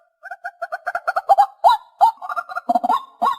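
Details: Call of the white-breasted waterhen, a lure for hunters. Short paired nasal notes pick up speed, then give way to a few louder rising honks and a grunting burst.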